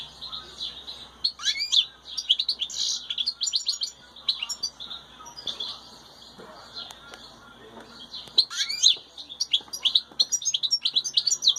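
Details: Wild European goldfinch with chicks: rapid tinkling, liquid twittering song in bursts of quick chirps and trills, with short pauses between phrases, a faint low hum underneath.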